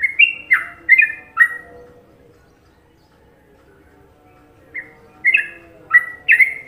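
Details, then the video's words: Indonesian sooty-headed bulbul giving a Trucukan-rhythm tutor song. A cluster of gurgling, falling double notes opens, then about three seconds of near silence with a faint low hum, then the liquid phrases resume. "Masteran Trucuk Indonesia"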